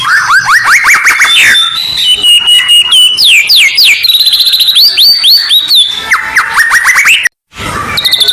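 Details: Shama masteran to stir and steady contest birds: dense rising whistled sweeps and high ringing notes in quick succession, a short silent gap, then more rising whistles.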